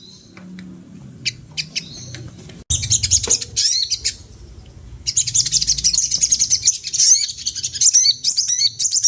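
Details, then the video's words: Sunda laughingthrush singing, used to draw out other birds' sounds: a quiet opening with a few faint chirps, then from about a third of the way in a dense, high, scratchy chatter of rapid notes and bursts that keeps rising in intensity. "SOGON GACOR || AHLINYA MEMANCING BUNYI BURUNG LAIN"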